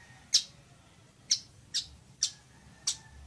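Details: Sharp, high chips from a village weaver, five in just over three seconds, each a brief clicking burst.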